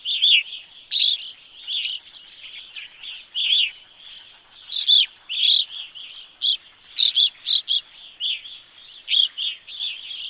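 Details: Wisconsin evening grosbeaks in a flock, many overlapping chirpy, burry calls forming a continuous busy chatter with louder notes bursting out every fraction of a second.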